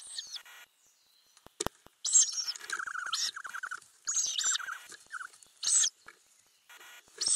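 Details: Ural owl nest box camera, May 2020: adults and growing owlets give harsh, hissing bursts in short repeated blasts, broken by quick runs of mid-pitched chittering notes and a few sharp knocks.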